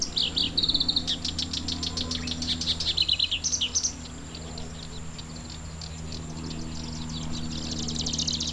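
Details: Black-browed reed warbler singing in June in a vast reedbed at the Watarase wetland, probably breeding there. It gives a fast, buzzy chattering run of high notes for about four seconds, then quieter distant chatter over a steady low hum.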